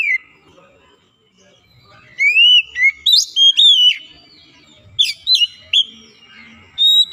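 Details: Oriental magpie-robin (kacer) being encouraged to sing more often: quiet at first, then clusters of bright whistles mixed with rasping chips in quick uneven bursts, a short lull, and further whistled phrases.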